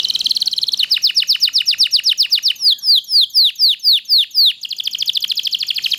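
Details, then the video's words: Canary (loper) singing continuously as tutor song for other canaries: a buzzy trill, then a series of sweeping downslurred whistles about four per second, ending in a fast high rattle. "kenari loper gacor panjang durasi panjang sangat ampuh buat masteran segala jenis burung kenari"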